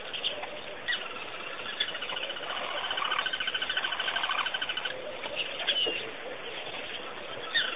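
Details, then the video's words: At Pete's Pond, Botswana, birds twitter while a steady rapid series of clipped pulses rattles on for about three seconds, then scattered sharp chirps and a few lower notes continue. "Birds! Birds! Birds!"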